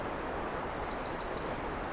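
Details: A female American Redstart at Pine Tree Point gives a song with no rising or falling ending: a rapid, even run of about six thin, very high notes, clear against quiet surroundings.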